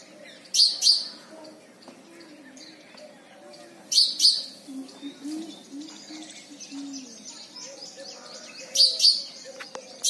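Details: A house sparrow in India gives loud paired chirps in short bursts about every four seconds, with a low murmur of distant voices behind.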